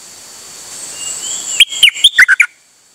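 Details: Singing nok dok taeng, recorded 8 September 2023 during a nonstop singing bout. A thin rising whistle leads into six loud, clipped notes that step downward and finish with a drooping slur. Light hiss fills the background.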